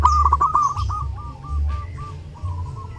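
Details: Zebra dove in lively song during Lebaran, suited to training other birds: a loud rolling cooing phrase, then a string of spaced soft coos, over a humming low background.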